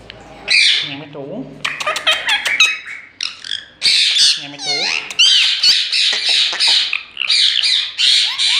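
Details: Indian ringneck parrot, green, talking in Urdu-Hindi ("main mithu"): a long loud stream of raspy squawks, chattering syllables and warbled mimicked phrases with clicks and short breaks between bursts.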